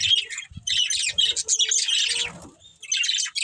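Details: Budgerigar breeding pair chattering: quick raspy chirps and warbles, a thin faint whistle in the middle, a lull around two and a half seconds, then renewed twittering.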